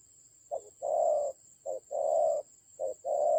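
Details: In a decoy fight in Vietnam's Central Highlands on 19 October 2020, a spotted dove gives low coos: quick short note then a sustained flat one, three pairs about a second apart, with a continuous high-pitched tone.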